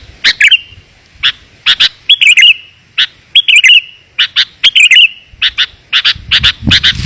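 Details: Sooty-headed bulbul calls used as a lure for wild bulbuls: clear, sharp chirps in loose pairs and short bubbly phrases, about every half second. A low rustle comes near the end.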